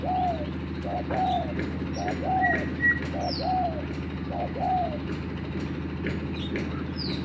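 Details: A lure spotted dove is pitted against a freshly trained one. It gives a run of mellow, rounded coos in uneven paired notes, with a few thin high bird chirps and a low steady hum behind.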